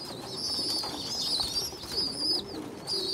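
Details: Several pigeon youngsters with a weak small young pigeon that feeds the stronger ones; long high squeaky whistles waver and break off, then resume, over a faint low hum.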